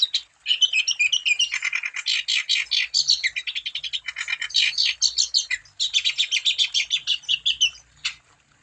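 A wambi sings a fast, unbroken run of high, varied chattering notes and trills, several per second, with no other sounds.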